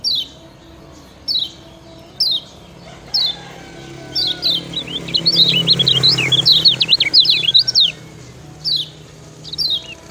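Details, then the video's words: Master song of a kecial kuning from Lombok for training other birds: evenly spaced high descending notes roughly once a second, broken mid-way by a fast tumbling warble of twisting whistles over a low background hum. "Ciak Ciak Ngejoss Kecial Kuning Ampuh Jadi Masteran"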